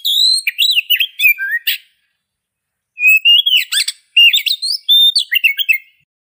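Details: Oriental magpie-robin song in two bursts separated by a short silence, each a rapid string of bright whistles, upslurred and downslurred notes and harsh buzzy elements; clean, with no background noise.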